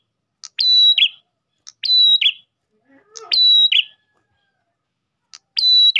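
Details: Lure song of an Ash tailorbird: four evenly formed phrases of a tick followed by a held piercing whistle ending in a burry downslur, with short silent pauses between them.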